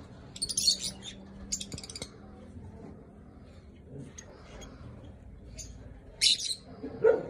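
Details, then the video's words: Masked lovebird chicks give raspy, hissing chirps in a few short bursts, with quiet gaps between and a faint low hum behind. "Agapornis personatas crías"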